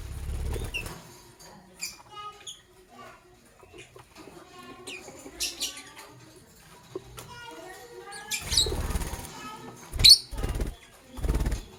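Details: Lovebirds, a green Fischer's and a pastel blue, chirping in the morning: scattered harmonic chattering notes and sharp high chirps, with a loud burst of calls near the end, amid low thumps and bumping noises.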